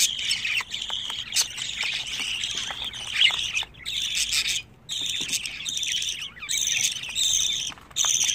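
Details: Twenty-five-day-old budgerigar chicks produce bursts of scratchy, raspy chattering and squawks. Several short silent gaps split the calls into separate runs of noisy calling.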